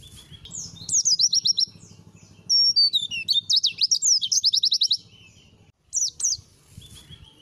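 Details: Training-material song of a white-eye: a thin level note, then fast chattering runs of high zigzag whistles, a brief pause, and a couple of sharp slurred notes.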